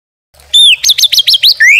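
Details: Brief burst from a white-rumped shama used as a masteran and pancingan lure: a descending whistle, then five quick high repeated notes and a final rising slur.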